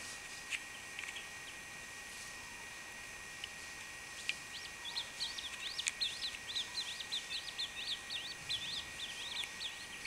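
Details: Chachalaca chick: thin, high peeping notes begin faintly, then come in quick, uneven series through the second half, several per second, over a steady high background whine.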